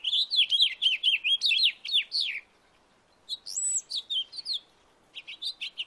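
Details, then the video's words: House finch singing in a backyard: two bright, rapid warbled phrases of slurred up-and-down notes, the first lasting over two seconds, then a pause and a shorter burst of song. "House finch singing sound in my backyard"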